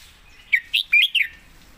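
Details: Red-whiskered bulbul master song: a short quick phrase of four bright, warbled whistled notes that rise and fall, over quiet low background hum.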